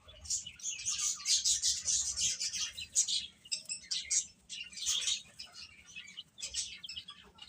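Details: Baby chickens feeding and playing, their very high shrill cheeps packed into rapid clusters that ease off toward the end, with soft scuffling underneath.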